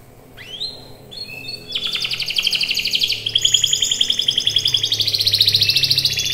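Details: Canary in full song, a few rising whistled sweeps opening into long rapid rolling trills that run continuously and grow louder, with a faint low hum behind.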